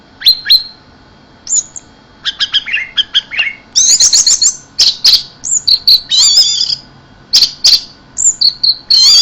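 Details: Varied high song from an orange-headed thrush in 'keserr' style, mixing sharp clicks, slurred whistles, stuttering note runs and buzzy trills.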